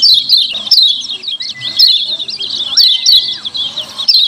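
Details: Lemon-bellied white-eye 'ciak ciak' lure calls meant to prompt other white-eyes to respond: continuous shrill twittering broken by bright downward-slurred notes, with two drawn-out flat whistles lower in pitch underneath.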